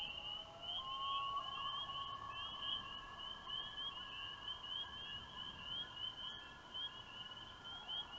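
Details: Common loons calling in the evening of May 12 in rural loon country give long, drawn-out wailing notes that rise and hold steady, over a fast, continuously repeated warbling higher up, in a quiet outdoor setting.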